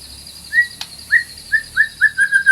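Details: White-rumped shama singing for masteran: a short series of clear, slightly rising whistled notes near one pitch, coming faster toward the end, with one sharp click.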